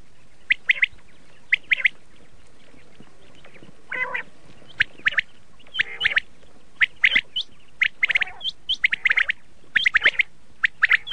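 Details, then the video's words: Common quail of a red colour variety (laal batir) giving clipped, buzzy chirps in irregular clusters, about one per second, with an occasional lower rasping note between them. "Red shade common quail sound/ laal Batir ki awaz"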